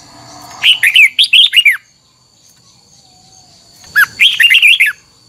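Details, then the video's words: Double-note twisting song of a red-whiskered bulbul, a mature bird from the wild, used to coach other birds: two loud chattering, whistled phrases of quick descending and rising notes, separated by roughly two seconds of near silence. "Luyện giọng chào mào hót hay âm kép xoắn, ép chào mào hót âm kép già rừng hay tuyệt!"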